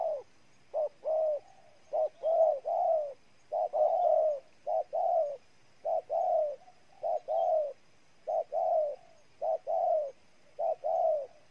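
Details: Long run of spotted dove coos from Ninh Thuan, Vietnam: repeated two-note phrases, short then drawn-out and falling, some doubled, delivered steadily and close to the microphone.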